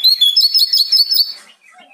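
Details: Bar-winged prinia song, loud and clear, played to provoke caged birds into singing: a rapid, high, chattering trill of buzzy notes lasting about a second and a half, then fading, with no other sounds.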